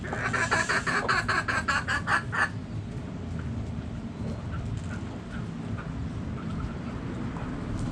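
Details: Backyard hens clucking in a rapid run of short, harsh, evenly spaced notes over about two and a half seconds, then fading into a low steady background rumble.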